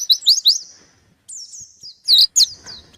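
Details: Short burst from a white-eye seeking a rival: three quick rising chirps, a thin drawn-out whistle, then two loud sharp chip notes.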